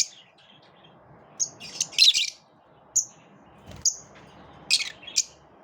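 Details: Lovebirds in a group pushing each other away: scattered piercing chirps and short harsh squawks separated by brief quiet gaps, with one louder buzzy burst.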